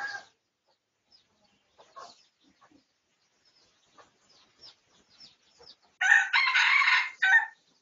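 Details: Red junglefowl recorded for research on 18 August 2023 gives one loud, hoarse crow of about one and a half seconds, cut shorter than a farmyard rooster's, after scattered soft clucks and small rustling sounds.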